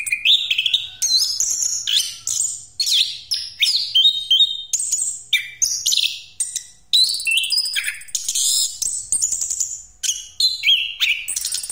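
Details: Long rolling song of a Pastol Orange-headed thrush, used to lure other birds: repeated bursts of varied twitters, sharp high notes and slurred whistles, flowing almost without pause.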